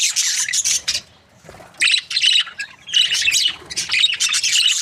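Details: Cheerful budgies chatter in three loud spells of rapid, buzzy warbling and squawks, broken by short quiet pauses.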